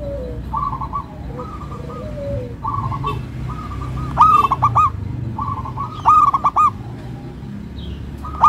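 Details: Local zebra dove (perkutut lokal) songbird, with soft rolling coo phrases from several birds and two louder stuttering bursts of cooing notes standing out.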